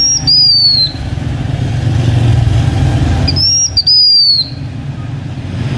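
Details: Blue-winged minla, kept by a H'Mông owner, singing as a decoy to lure other birds: two high, clear whistled phrases, each sliding downward, one near the start and another about three seconds later, over a steady low engine-like rumble.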